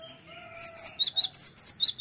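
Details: Cinereous tit (gelatik batu) lure call meant to draw a quick reply; after a soft hum, a run of six loud, very high, sharp chirps at about four per second.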